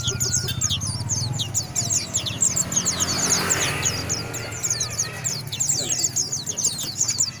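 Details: White-eye pouring out a steady, very high chattering twitter of rapid slurred notes, with a low engine-like hum and a faint rising whine underneath.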